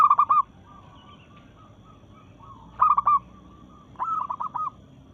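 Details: Local Indonesian zebra dove in full voice and breeding mood, singing to challenge rivals: three loud bursts of rapid staccato cooing notes with a few softer rolling coos between them.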